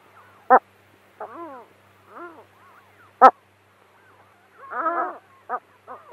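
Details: Gull uttering scattered short yelping and laughing notes, some arched and falling, one sharp abrupt note, spaced irregularly over a quiet background.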